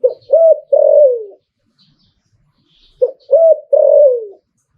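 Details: Spotted dove giving its หลิ่วตัน (liu tan) style song: a short three-note coo phrase ending in a longer falling note, repeated twice about three seconds apart, with silence between.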